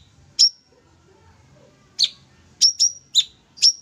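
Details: Sooty-headed bulbul calling in vigorous 'tembak' song: widely spaced, piercing, high chips with quick downward slurs, some in close pairs, against a quiet background.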